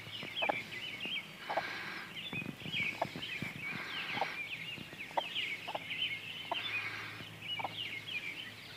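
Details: Young mixed-breed chicks, Partridge Cochin crossed with Barred Rock and aged twenty days, on a walk with their mother hen: scattered high peeps over rustling bursts and soft clucks.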